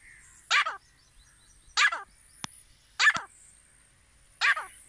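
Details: Grey francolin, known locally as desi teetar, giving four strong rasping call notes roughly every 1.3 seconds, each a short harsh burst with falling tail, in otherwise quiet surroundings.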